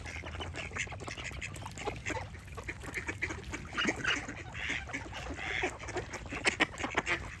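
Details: Several ducks quack together, clipped nasal calls tumbling over one another, with a few drawn-out louder quacks in the middle and a sharp burst near the end, low rumble underneath.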